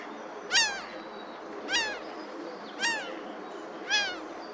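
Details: Four separate drawn-out, downslurred nasal cries from laughing gulls on a sunny day, spaced roughly one second apart, each rising sharply then falling, over a low steady hiss of outdoor background noise.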